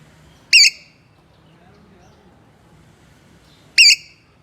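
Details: Parrot giving two short, loud, harsh squawks with a wavering, rich tone, about three seconds apart, in an otherwise quiet setting.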